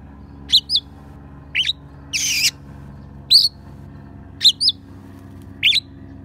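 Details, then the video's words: Oriental magpie-robin singing sparrow and prinia imitations used to train other songbirds: short two-part chirps repeated roughly once a second at an uneven pace, broken by one long harsh buzzy note, over a steady low hum. "Kacer Isian Gereja,prenjak pass untuk masteran"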